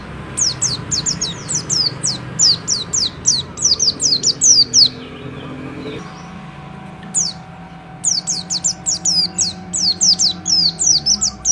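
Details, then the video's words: White-eye pouring out long fast sequences of high, sharply descending whistled notes, a brief break near the middle, then another dense run, with low humming background. "SUARA BURUNG PLECI BUSTOMI GACOR NGALAS NEMBAK NGOTOT BIKIN GACOR LAWAN SALING NYAUT"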